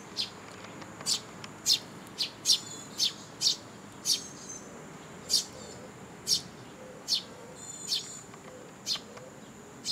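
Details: Young sparrows begging for food from their parents at a Tenmangu shrine on 2 July 2022: sharp, high chirps repeated about every half second, some as quick doubled notes, over a faint hiss.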